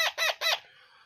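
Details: Parrot chick being hand-fed, giving three quick harsh, raspy begging squawks in rapid succession, each strongly harmonic and lasting about a tenth of a second, then quiet.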